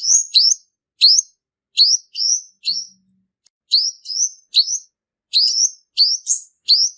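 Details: {'caption': 'A male purple-throated sunbird delivers its trap-lure song: fast, high, rising chips, mostly in doubles, with a brief pause midway before the series resumes.'}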